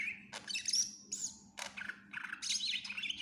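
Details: Greater green leafbird singing vigorously in a full, fill-packed style meant for tutoring other birds: sharp high chirps, slurred whistles and buzzy trills in quick varied bursts, over a steady low electrical hum.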